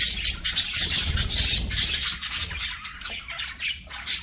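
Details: Budgerigars singing and playing: busy, scratchy high chatter with squawky bursts and fast chirps, densely overlapping, with a faint low rumble underneath.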